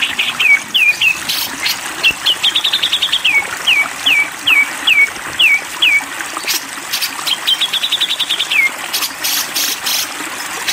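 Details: Grey-cheeked bulbul giving a 'konslet' style song. Clear downslurred whistled notes repeat about twice a second, interrupted by quick rattling trills, then a pause before chips, all set against steady running, trickling water.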